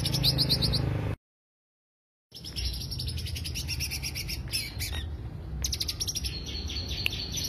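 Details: Greater green leafbird lure song: rapid trains of bright, high chirping notes repeated several times a second, broken by a second-long silence, over a steady low hum.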